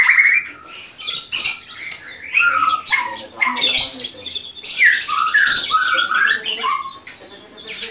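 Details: Caged white-rumped shama kept at home sings a rich, varied song of quick slurred whistles and chattering notes, delivered in rapid tumbling phrases almost without pause.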